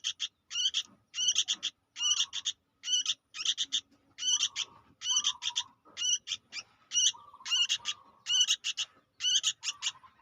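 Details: Young sooty-headed bulbul giving a constant stream of high, ringing chip notes in rapid uneven groups, some followed by lower buzzy trailing notes, against a quiet background.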